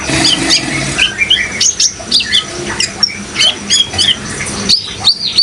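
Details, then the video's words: Brown-throated sunbird singing with running water behind: high thin chirps and short curling whistles scattered through, some louder downslurred notes near the end, above steady water noise. "suara kolibri ninja gacor dan suara air"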